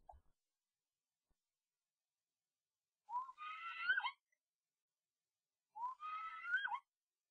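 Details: Common starling inside a nest box during a fight with an intruding starling from outside the pair: two rising, reedy whistled notes about three seconds apart, separated by silence.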